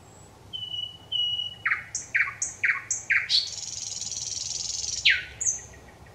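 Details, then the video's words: Song of a thrush nightingale, recorded 25 May 2021. Two drawn-out thin whistles lead into a series of sharp, separate notes, then a long buzzy rattle and a steeply dropping note, ending on a high whistle. "Satakieli laulaa, ääni kauniisti ja selvästi"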